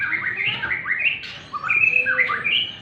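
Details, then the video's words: White-rumped shama singing during morning sunning: quick varied phrases of clear rising and falling whistles and short slurred notes, delivered in rapid bursts with brief pauses. "burung murai"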